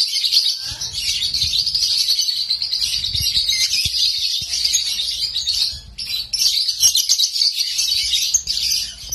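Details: Nonstop singing from a home-kept lovebird: unbroken high buzzy chatter and squeaks, a brief dip near six seconds, then the rapid twittering resumes, with faint low rumble underneath.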